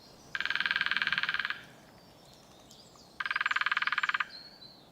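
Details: A female woodpecker drumming loudly on a dead ancient oak above a path, advertising territory to mates and rivals in the courtship season: two rapid, even rolls, each about a second long, the second after a short pause; faint hiss.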